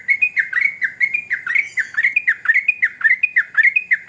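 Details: Sooty-headed bulbul in lively, energetic song: a rapid run of bubbly, warbled notes dipping and rising, repeated almost twice a second without pause.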